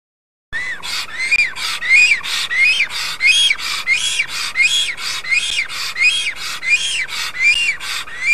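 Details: Wild black stork at its nest in Karula National Park, Estonia, greeting its arriving mate, captured by a nest camera; wheezy, hissing notes with arched whistled tops, repeated steadily about one and a half times per second.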